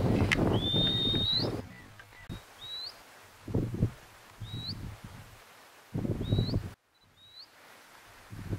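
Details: Scribble-tailed canastero: a long thin upslurred whistle followed by shorter rising whistled notes, each ending in a sharp upward flick, given about once a second over rustling and low wind-like noise.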